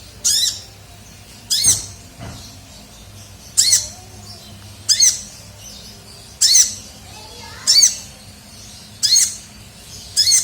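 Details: Sunbird, called kolibri ninja, lure call: a sharp, harsh high chip given singly about every one and a half seconds, with quiet gaps between.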